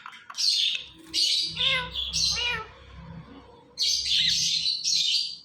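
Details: Ringneck parrot kept as a talking pet, letting out loud grating screeches in bursts, some with falling harmonic tails, separated by brief gaps, with low room noise and a person's voice faint underneath.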